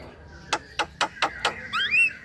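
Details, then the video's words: Javan myna lure call for young birds: five short harsh rasps evenly spaced, ending in a rising whistled note. "Pancingan jalak kebo"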